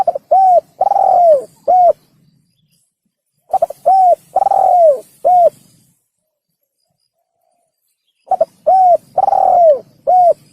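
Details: Hunting lure recording of a spotted dove giving three repeated cooing phrases, each of stuttered opening notes, a round coo, a long sliding-down coo and a short closing coo, with quiet gaps between.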